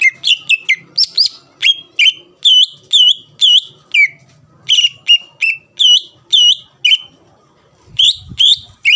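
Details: Greater green leafbird singing to provoke rival birds into answering: loud, rapid whistled notes around high pitch, each a sharp downward-then-rising slur, repeated about twice a second in rambling phrases with brief pauses.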